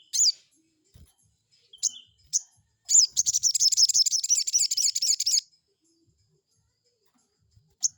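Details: Crested jay lure call meant to provoke a rival into answering: sharp high notes, then a rapid rattling burst of about two and a half seconds of fast repeated high chips, then a lone final note.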